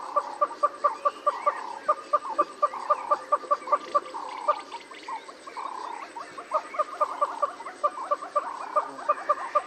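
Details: Southern red-billed hornbill in Kruger National Park giving a long run of hollow, clucking notes, about three per second, rising and falling in short bursts; faint background chatter underneath.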